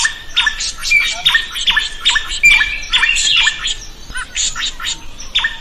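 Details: Drongo singing, kept as a training recording so other birds learn to sing, with a rapid run of ringing metallic notes that each dip and hook, interleaved with harsh squawks and scratchy chatter.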